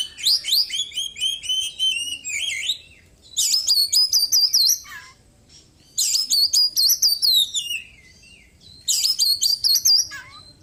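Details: After moulting, a white-breasted caged Oriental magpie-robin sings constantly, packed with imitations of small birds. Dense, high, warbling trill bursts of about two seconds repeat, separated by short silences.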